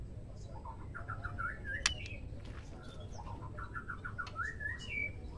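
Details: White-rumped shama female song, played to provoke males into singing: quick series of short chirping notes building into slurred whistles and a high upslurred phrase over steady low background hum.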